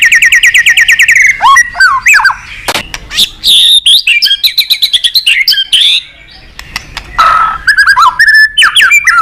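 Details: White-rumped shama song aimed at a rival: opens with a fast, even trill of repeated notes, then breaks into varied loud whistles, sharp chips and sweeping phrases with brief pauses.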